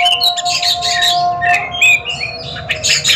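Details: Short burst from an Oriental magpie-robin song duel: scattered whistled slurs and sharp chirps, some rising, with a sustained low tone running beneath.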